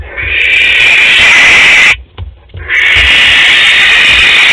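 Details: Barn owl, one of a pair at a nest box in Théding, 12 May 2020, gives long hissing, rasping screeches split by a brief gap; the harsh noise stays steady and loud throughout.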